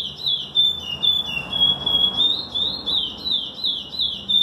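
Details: A chestnut-bellied seed finch pours out bright, high whistles in quick wavering phrases, nearly three notes a second, against faint low background hum.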